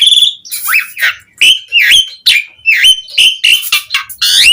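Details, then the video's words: Asian pied starling song aimed at drawing responses from other starlings: high piping notes, then a varied series of loud whistled slurs and scratchy chatters with little pause. "Suara Kicau Jalak Suren Gacor Efektif Memancing Semua Burung Jalak Auto Respon"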